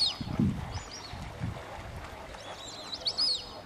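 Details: White-faced whistling ducks at WWT Slimbridge giving thin, whistled calls in arching, rising-then-falling notes, a short burst near the start and another later, with low murmuring human voices underneath.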